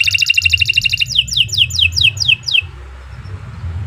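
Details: Long, fast canary song meant for tutoring other birds: a rapid, even trill runs into a series of down-slurred whistled notes, about two per half second, ending in quiet with a low background hum.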